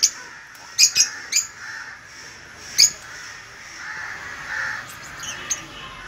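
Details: Sun conure pair, ten months old, letting out a few sharp, shrill squawks early on, a lone loud one midway, then faint scratchy chatter and a last small squeak, over a steady soft background hiss.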